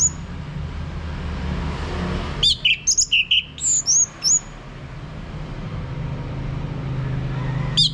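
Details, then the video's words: Orange-headed thrush (anis merah) lure song for a male's ngeplong singing, North Bali: one dense two-second burst of high, slurred whistles and chirps, then quiet hum, with a single sharp note at the end. "Mainkan Video Pancingan Ini Agar ANIS MERAH Mau Berbunyi Ngeplong Kalau jantan ya."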